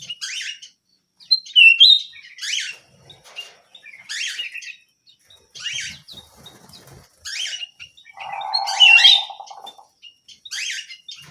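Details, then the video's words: Small canary in full song: evenly spaced bursts of high sweeping chirps every couple of seconds with occasional clear whistled slides and one low buzzy rolling trill. "BURUNG KENARI MUNGIL GACOR"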